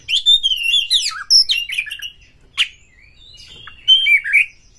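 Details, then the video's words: Kacer (white-rumped shama) song used as a provoking lure to stir other birds to sing: varied whistled phrases, sweeping and warbling, with bursts then a pause and a final rich trill. "Pancingan Kacer ini dapat Mendongkrak EMOSI PANCINGAN KACER TOP BUKA EKOR"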